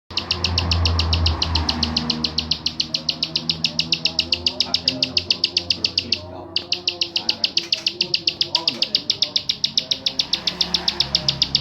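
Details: Bar-winged prinia giving its klik call, recorded in Mojokerto for song-bird keepers: dry high clicks repeated about four times a second in a steady run, briefly pausing, with low murmuring human voices in the background.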